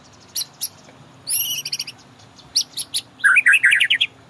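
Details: White-rumped shama master song for training caged birds to start singing: scattered sharp chirps, a short buzzy trill, then a rapid zigzag of lower warbled notes.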